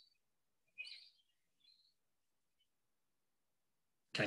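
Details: Wood sandpiper, a wader of open habitat in Hampshire, giving its distinctive call: a short burst of high, sharp whistled notes, then a fainter single note and a final chip, ending with a loud knock.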